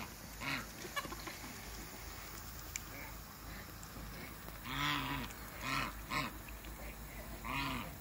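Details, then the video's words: African geese, a couple meeting on a farm, give a few widely spaced, harsh nasal honks that grow louder toward the end, with faint background rumble between calls. "MEETING COUPLE AFRICAN GEESE"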